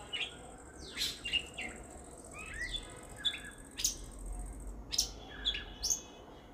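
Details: Jungle babbler calling around a house and backyard, birds sitting on a chair: scattered short harsh squeaky notes, some sliding downward, in irregular bursts over a steady faint high hiss.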